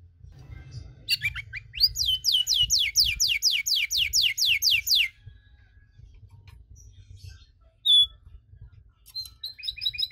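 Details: Canary cengkok song meant to provoke other canaries: a burst of quick falling whistles for about three seconds, then quiet with a few scattered high chirps and short notes.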